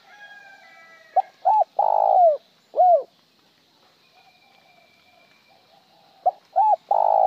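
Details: Spotted dove cooing with an incomplete ending, its coo sometimes finished and sometimes plain without the ending. Soft hooting notes come in a short phrase of two quick coos, a long coo and a falling coo, then repeat.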